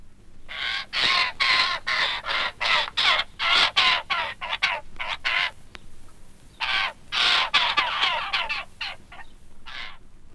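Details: Young Eurasian jays in a British woodland in June demand to be fed, begging with harsh, rasping screeches, two or three a second, in two long bursts separated by a short pause.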